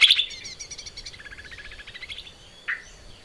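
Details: Lesser green leafbird song for training cage birds: a sharp high note, then a long, steadily pulsing trill that drops in pitch and fades, and a single rising chirp near the end.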